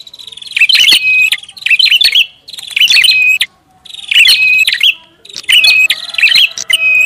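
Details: Prinia calls used as a lure, five separate bursts of sharp chirps and twittering notes, each about a second long, with brief silences between them.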